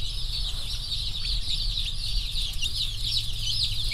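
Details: Newly delivered slow-growth rainbow broiler chicks, over a thousand, lively after travel and pecking at everything: constant high-pitched cheeping from many birds blending into a shrill wash, with a low droning hum underneath.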